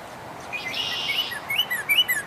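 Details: A male Northern Cardinal, filmed at Dufferin Islands on April 1, 2019, sings a quick series of clear, slurred whistles, about four per second, with faint high chirps from other birds in the background.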